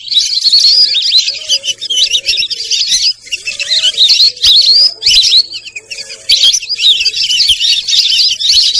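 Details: Busy high twittering of Sarail birds, fast chirps and upslurred whistles in overlapping bursts, with short quieter dips and a faint lower warbling note now and then.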